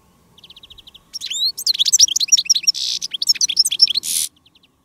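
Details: European goldfinch (Carduelis carduelis) in a field-trapping session, with a decoy male and a female on jarilla calling to attract wild goldfinches: a quick series of soft ticks, then about three seconds of fast, bright, liquid twittering with buzzy, tinkling notes.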